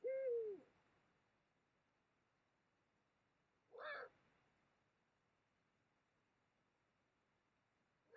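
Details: Eurasian eagle-owl during mating, Mosel, Germany, late January 2022: one drawn-out call that arches and slides downward, then a short harsher burst near four seconds and a final onset at the end, all over quiet background.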